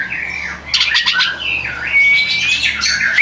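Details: Oriental magpie-robin (kacer), a champion singer used as training audio for other kacer: harsh squawky notes and slurred whistles mixed with buzzy bursts, with a long thin steady whistle near the end.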